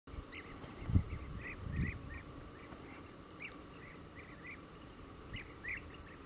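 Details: Several European bee-eaters (Merops apiaster) give soft, rolling mid-pitched 'prruip' calls, scattered and overlapping, over low wind rumble and a couple of dull thumps.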